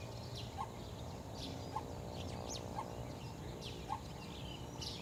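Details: Coppersmith barbet recorded 12 January 2014, giving a soft, low, hollow 'tuk' about once a second, four notes in all, over higher chirps from other birds and a steady low rumble.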